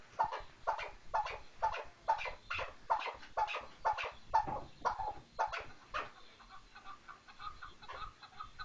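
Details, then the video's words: Chukar partridge calling with quick harsh chuck notes about twice per second for six seconds, then fading into softer, faster chattering notes. "kınalı keklik sesi dinle."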